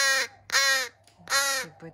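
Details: Rescued young crows, some with disabilities, calling noisily during a hard feeding session in July: two loud, harsh, harmonic-rich caws around a quarter-second each, then a third, with soft lower squeaks between.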